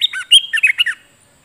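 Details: Streak-eared bulbul, a wild bird, singing: a brief burst of bubbly, warbled notes, about six quick syllables in just under a second, then silence.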